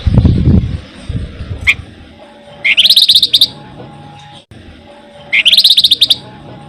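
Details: Flamboyan singing, a recording meant to lure songbirds: two quick bursts of shrill, rattling chatter about 2.7 seconds apart, each under a second long, with a low rumble at the start and a thin steady tone between bursts.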